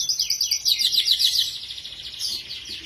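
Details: Domestic canary in full, energetic song: fast rolling trill of high, thin repeated notes pulsing several times a second, slowing and fading toward the end, with faint background noise.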